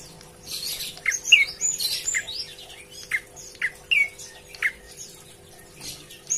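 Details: A prinia, singing actively and calling to companions, gives a rapid, busy run of sharp, high chirps and squeaky notes in quick bursts, over a faint steady hum.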